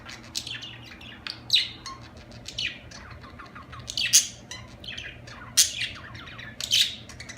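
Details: Budgerigar chirping in a busy flow of high twittering notes and sharp squeaks, with louder peaks recurring every one to two seconds over a faint low hum.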